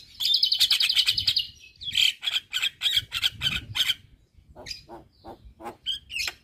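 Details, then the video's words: Asian pied starling singing hard to rile neighbouring starlings: a long rattling, buzzy trill, then a series of rasping chattered notes and a few short whistles trailing off. "Burung Jalak Kebo Gacor Parah Bikin Emosi Jalak Tetangga"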